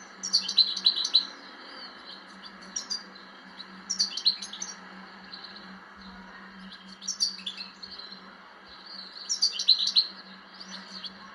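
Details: European goldfinch singing short bursts of bright, tinkling high twitters about every three seconds, with quiet pauses between phrases, over a steady low electrical hum.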